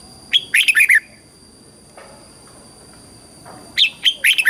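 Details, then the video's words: Red-whiskered bulbul, Thailand, singing a southern master-style phrase used to excite and train birds: a fast burst of bubbly chirped notes, a pause, then the start of a second phrase; soft background hum. "เสียงนกกรงหัวจุก ขวัญใจสายเบิ้ลอาชีพ ฟังแล้วคึกเหมือนเดิม นกไม่คึกห้ามฟัง"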